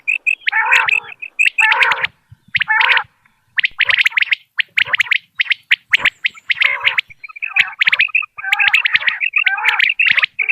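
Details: Common quail calls played for hunting in Dera Ghazi Khan. Clusters of piercing clipped notes and rough gurgles come in bursts of one to two seconds, separated by brief gaps of quiet.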